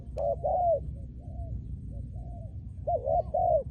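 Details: Spotted dove, a trained decoy bird for ground decoy trapping. It opens with two loud coos, then gives softer drawn-out notes and ends with a double coo followed by a longer arched coo, over a low background hum.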